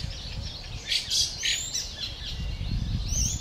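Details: Fieldfare fledgling begging while it waits for adults with food, 20 May 2013; a few loud, harsh high chirps in quick succession, then quieter notes, with low background rumble.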